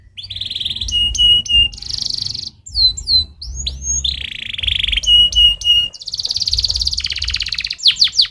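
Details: Stimulating canary song mixing buzzy rolled tours, repeated flat whistles at steady intervals and curved swooping notes, ending in a long dense buzzy trill and quick high sweeps; low rumble in background.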